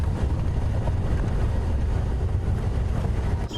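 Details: Loud low engine rumble with wind buffeting the microphone runs from start to end, and no animal sound is heard.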